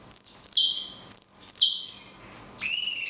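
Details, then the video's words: High cungkok song in the 'tembakan kunti panjang' style, used to train songbirds: two loud whistled phrases that step downward about a second apart, then a sudden bright, ringing, trilled note. "CUNGKOK TEMBAKAN KUNTI PANJANG - JEDA ALAMI"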